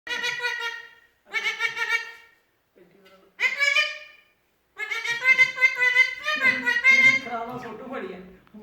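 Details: A hungry parrot gives three loud, nasal squawks about a second each, then a longer run of wavering, chattering calls in a small room.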